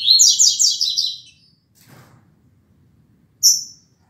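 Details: Rusty-collared seedeater singing the classic tuitui song at 6:30 in the morning on 16 December 2019, a fast run of bright, buzzy high notes, then a soft rustle and one more sharp note after a pause.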